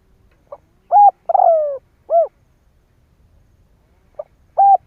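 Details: Spotted dove cooing used to draw calls from other doves; a soft note, a short coo, a longer falling coo and a rounded coo, then after a pause a faint note and another coo.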